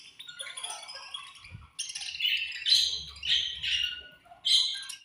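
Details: Budgies chirping in a colony at feeding time: continuous high, chattering warbles from several birds that rise into loud bursts, with brief gaps between them.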